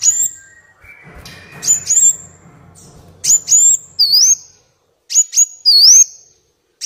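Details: Black Sunbird song with rich filler phrases, played to train caged birds and lure wild ones; paired high chirps and dipping whistled slurs, roughly every two seconds, with a soft low hum early on.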